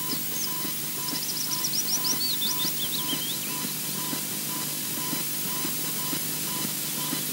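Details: An osprey at its nest at Loch Garten, Scotland, on its first appearance of the morning, alarm calling: a rapid run of thin, high whistled notes, sharp and slightly rising, over about three seconds, then quiet against steady background hiss.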